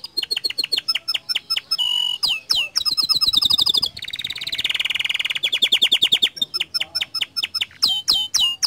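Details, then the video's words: Canary in full song, used to encourage other canaries to join in: fast series of sharp descending notes, a dense rolling buzzy trill in the middle, then more quick repeated chips and whistled sweeps. "Pancingan Efektif Banyak Kenari Ikut Gacor Dengan Suara Kicauan Kenari Gacor Ini"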